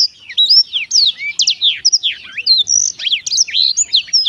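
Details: Black-throated canary in lively song, pouring out an unbroken, fast jumble of high chirps, slurred whistles and sharp downward sweeps.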